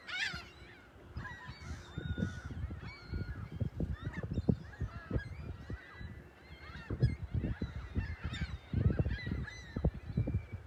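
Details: Morning chorus of seagulls at South Haven's South Beach by the lighthouse and pier, March 21, 2021. Faint, overlapping bent squawks from several birds continue throughout, with frequent low knocks and rumble.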